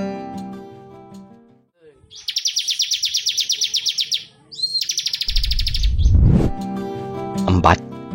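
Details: Bar-winged Prinia, found wild in Java, Bali and Sumatra, gives a rapid run of high, sharp chirps about two seconds long, then a brief second burst, over background music and a narrator's voice.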